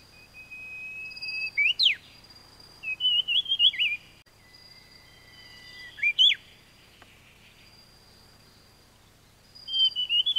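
Taiwan fulvetta giving thin, high whistled notes with quick warbled twists, in short bursts spaced a few seconds apart; a faint steady high tone runs behind.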